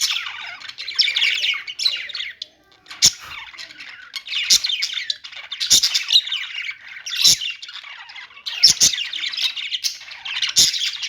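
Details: Budgies singing a steady flow of high, scratchy twitters and warbles, broken by clicking taps roughly every second or two.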